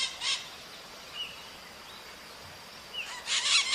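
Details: Maritaca parakeet in natural surroundings: one short harsh squawk at the start, a quiet gap with faint whistled notes, then a louder, dense burst of rasping screeches at the end.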